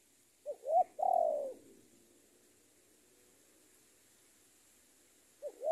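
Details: Captive decoy spotted dove luring a rival delivers one phrase of two short upslurred coos and a long, falling coo, then starts the next phrase about five seconds later against a quiet background.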